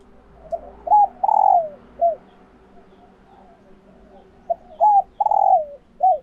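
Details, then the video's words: Female spotted dove in egg-laying condition, caged, its call meant to excite males into cooing for a mate: two matching phrases of loud hollow coos, a short note, a bent double note and a long sliding coo, over a low hum. "Tiếng Chim Cu Gáy Mái Chuẩn Kích Trống"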